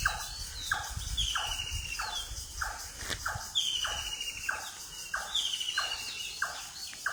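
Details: Foggy daybreak in rural Manikganj, Bangladesh: birds give loud, rough, repeated downward calls in a steady rhythm, with thin whistled phrases drifting above them and a continuous high insect drone.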